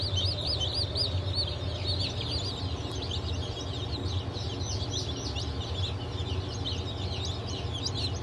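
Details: Newly hatched chicks of Legbar, Silver Wyandotte, Sussex and Wyandotte breeds, from a hatch on 28 June 2023, keep up a dense chorus of high, arched peeps overlapping without pause above a steady low machine hum.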